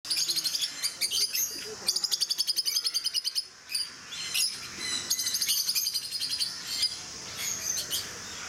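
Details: Several captive rosy-faced lovebirds (peach-faced lovebirds) at Mysore Zoo chatter in shrill, high, rapid chirps and squeaky bursts, calling over one another without pause.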